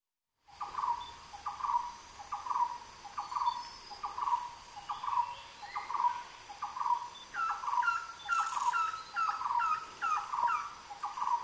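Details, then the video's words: A red-headed trogon gives soft, low, mellow notes, repeated a little faster than one per second; higher, sharper notes from another bird join in the second half. "红头咬鹃 RED HEADED TROGON CALL"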